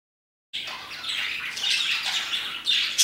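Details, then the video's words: Parakeets chirping around 2pm, a dense, overlapping chatter of high, scratchy chirps and squawky notes starting after a half-second of silence and continuing without pause. "Parakeets chirping and singing their hearts out"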